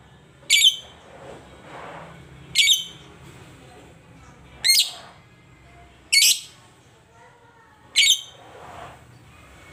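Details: Lovebird at home giving five loud, harsh, shrill shrieks spaced roughly two seconds apart, with faint lower murmuring between calls.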